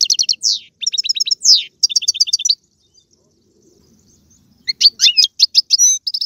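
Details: European goldfinch song, played to stimulate a pet goldfinch to sing: rapid high twittering bursts of tinkling, buzzy notes, a silent pause of about two seconds, then another fast chattering phrase.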